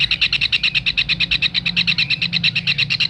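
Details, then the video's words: Kingfisher call used to train songbirds: a rapid series of clipped, bright notes repeated roughly nine times a second without pause, over a quiet low background hum. "Tengkek raja udang masteran"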